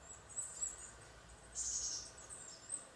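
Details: A fledgling Eurasian nuthatch, just out of the nest and perched on a branch waiting for an adult to feed it, gives thin, very high squeaky begging notes in short bursts and one longer run, over a faint hiss.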